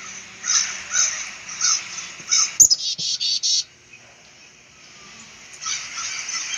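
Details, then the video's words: Black-capped chickadee: a handful of rapid, rasping buzzy notes in a short burst, set against a hissing, noisy background. "black cap chickadee bird"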